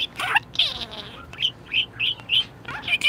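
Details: Pet budgerigar in a very good mood, opening with a scratchy chattering phrase, then five clear high chirps spaced about half a second apart, ending in more chatter.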